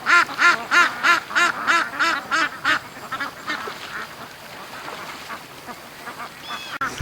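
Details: Pen-kept ducks released an hour late for a morning dash to the creek; a strong regular series of nasal quacks, about three each second, fading after a few seconds into quieter background calls.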